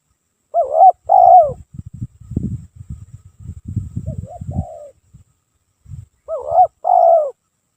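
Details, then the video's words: Spotted dove calling for use as a lure: a two-note coo, a stretch of low rumbling thumps with a brief soft coo among them, then another two-note coo phrase at the end. "PANCINGAN TEKUKUR PALING AMPUH‼️NON STOP NAGEN KICAU TANPA JEDA‼️"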